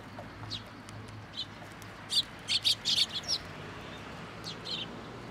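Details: Sparrows arriving for food first thing in the morning at a Tenmangu shrine on 18 October 2022; short high chirps, scattered at first, then a quick cluster of five or six sharp notes in the middle before sparser calls resume.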